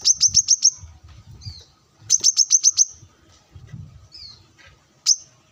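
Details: During sunning, a brown-throated sunbird calls out to rivals with wild birds nearby, giving two bursts of about six shrill, rapid notes and one lone chip, with low rumbling noise underneath.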